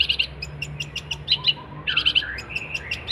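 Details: A vigorously singing cendet, or long-tailed shrike, recorded as a master song for teaching other songbirds: short clusters of sharp high chirps, brief pauses between them, and a faint low hum underneath.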